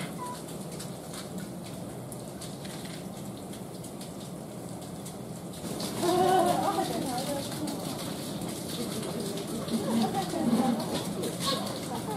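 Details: Humboldt penguins at a zoo give harsh, wavering, nasal calls at feeding time while waiting for their keeper, after a stretch of steady background noise.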